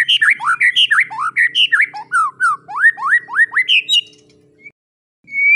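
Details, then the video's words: White-rumped shama song meant to train young murai: rich string of varied whistled notes, many rising or dipping sweeps delivered in quick succession, then a near-silent gap and one final high whistle; a soft low hum throughout. "MASTERAN MURAI BATU TROTOL"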